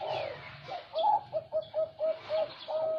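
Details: Zebra dove song: a rapid staccato series of short, evenly pitched coo notes, about three per second, ending in a longer held coo, with faint background hiss.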